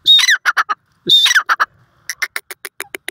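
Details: Francolin giving two harsh, ringing squawk phrases, each a strong opening note followed by quicker clipped notes, then a run of softer, evenly spaced clicking notes toward the end.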